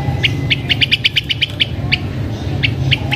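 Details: Blue-winged minla (Actinodura cyanouroptera) lure song, sung as a decoy to attract wild birds: a quick run of about ten high, sharp chip notes, then a few spaced ones, over a steady low rumble.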